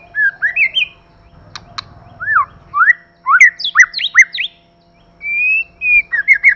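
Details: Male and female white-rumped shama in 'kích lửa' singing: a fast string of rising and falling whistled notes and sharp upward sweeps, a pause, then a long steady whistle followed by quick slurred notes.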